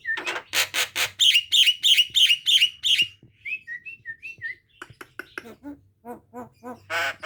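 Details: Javan myna giving a fierce cough-like run of harsh, rasping bursts about three per second, followed by short sliding whistles, dry clicks and soft repeated notes, closing with one more harsh burst.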